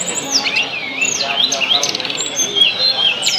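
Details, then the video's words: Song of the tledekan, played to stimulate other birds; looping high whistles that swoop down and up, followed by sustained thin whistled notes over faint background twittering. "tes burung tledekan anda dgn video ini pasti langsung gacor"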